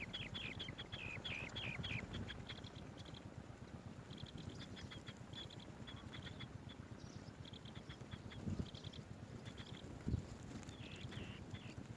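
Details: Swallow-tailed bee-eater bringing bees to feed its young, giving short, high chirps in quick rolling bursts, pausing between runs, over a steady low rumble of wind.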